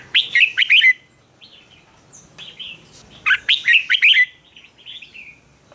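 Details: Red-whiskered bulbul singing the fighting song used to train birds; two loud bursts of quick whistled, slurred notes separated by softer warbling, against a clean quiet background.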